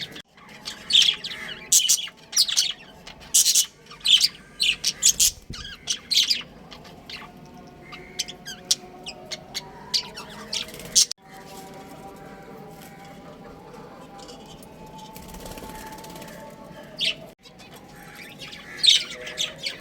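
Budgerigars chatter with quick, high chirps and scratchy squawks in irregular bursts.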